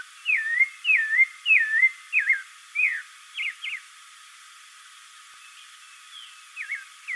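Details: Spectacled thrush song: rapid looping whistled phrases delivered in quick succession, shortening into sharper notes, then a pause of about two seconds before fainter phrases resume.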